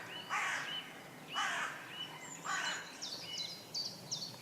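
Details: A carrion crow (Corvus corone), perched up in a tree, gives three harsh, rasping caws about a second apart, followed by thin, high chipping notes from a smaller bird.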